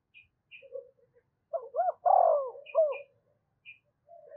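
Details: A spotted dove decoy calls to provoke wild doves. A single cooing phrase has two quick rising-falling hoots, a long loud descending coo and a short last note. Quiet high chirps occur before and after.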